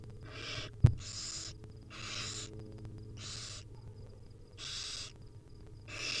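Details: Hungry barn owl nestlings, wild, begging as their mother feeds them: a steady series of soft, breathy hissing screeches, about one every second, with one sharp knock near the start and a low hum throughout.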